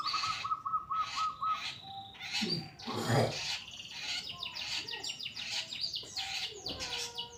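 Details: Pastol-type long-tailed shrike singing busily, as a training song for other birds: rapid repeated notes, then a dense jumble of sharp chips, rising slurs and harsh bursts.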